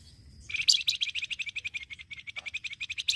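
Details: Flamboyan bird giving a rapid, jingling chatter for luring birds: a long run of quick, evenly spaced buzzy chips, over twenty in under three seconds, ending with a louder chirp.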